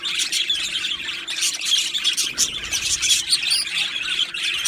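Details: A budgie colony in an aviary, Australian parakeets trading high chirps, warbled squeaks and short whistles in a thick overlapping chorus that rises and falls in loudness, a low hum beneath.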